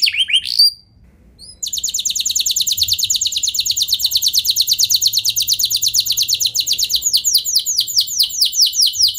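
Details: Canary song played as a lure so other canaries join in with long rolling song: brief high chirps and a pause, then a long sustained rapid trill of repeated high notes, changing to slower downswept notes near the end.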